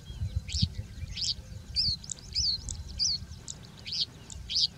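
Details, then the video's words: Singing bushlark in habitat, high whistled notes and short buzzy chirps repeated roughly every half second, over faint low background noise. "Singing Bushlark"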